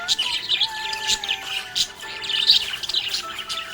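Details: Happy budgie chirping: busy, high twittering chirps and short warbles in quick uneven bursts, with steady sustained musical tones underneath throughout.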